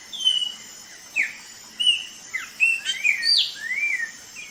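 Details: Rufous-bellied thrush in Brazil giving varied whistled notes, some sliding down sharply, others rising and warbled, in quick irregular bursts against a steady high insect hiss.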